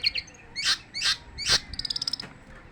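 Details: Long-tailed shrike in unpaused song: three loud harsh rasping notes about half a second apart, followed by a rapid high ticking trill.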